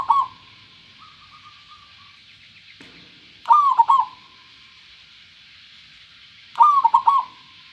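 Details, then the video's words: Clear-voiced local zebra dove singing three quick stuttering coo phrases about three seconds apart, with a soft, thin run of trailing notes after the first phrase and a steady background hiss. "perkutut lokal suara jernih"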